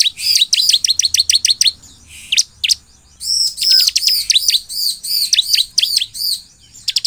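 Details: Vigorous song of a bar-winged prinia (ciblek), played to draw responses from other ciblek: long run of fast, high, ringing downslurred notes, a brief break, then dense chattering phrases with arched whistles continuing to the end.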